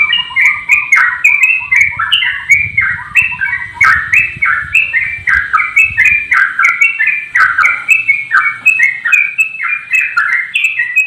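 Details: Straw-headed bulbul in full song while flapping its wings, a long run of loud bubbling, fluty warbles tumbling up and down in rapid succession, with a faint low rumble beneath.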